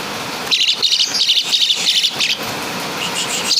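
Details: Asian pied starling from Java imitating kapas tembak and caladi calls: a quick run of sharp, high chirps at about three per second, then a brief pause and a few softer notes.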